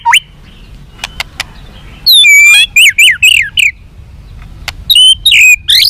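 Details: White-rumped shama song played to make captive birds responsive and eager to fight: a few scattered high whistles and clicks, then loud bursts of sweeping, slurred whistled phrases with short pauses between them.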